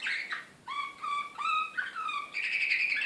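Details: Excited Serbian slavujar song canary, Belgrade 2016, gives a rolling trill and then long level whistled notes stepping upward, ending in a dense, bright, rapid warble.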